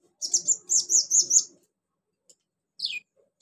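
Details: Konin, a Van Hasselt's sunbird, in song full of mimicked crickets, golden grasshopper, cililin and chick calls: a rapid series of shrill, high twittering notes for about a second, then one falling squeaky note after a pause.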